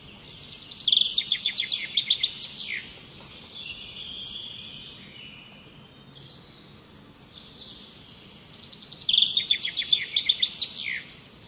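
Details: A bird repeats a phrase twice: a fast rattling trill of high chips ending in a downward slur, soft thin whistles between, over gentle hiss.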